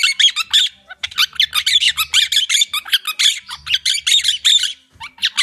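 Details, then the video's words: Noisy quakers, monk parakeets, chatter in harsh screeching squawks repeated several times a second, a short pause near the start, then steady raucous calling over a faint low hum. "The quakers"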